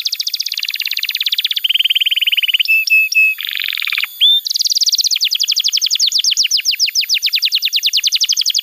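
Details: Lively canary song meant as a tutor for young birds and a cue for canaries that stopped singing: a rapid high trill, a lower steady rattle, a few pure whistles, a low buzzy roll, an upslurred whistle, then a long fast trill.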